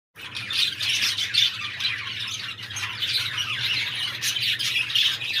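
Budgerigars keep up a busy stream of high chirps, squawks and warbling chatter.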